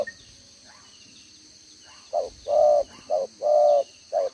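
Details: Decoy spotted dove with a two-row necklace, 'gáy 1 hậu' cooing, recorded 11/6/2023: two quiet seconds of faint sounds, then five loud low coos alternating short and long, steady high hum behind.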